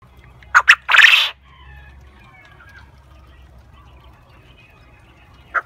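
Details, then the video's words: Black coturnix quail crowing among companion quail, crowing non-stop: two quick sharp notes and a harsh, rasping burst, then after a few seconds of quiet a single short note from another bird. "Black coturnix quail crowing with it friends. Non stop crowing"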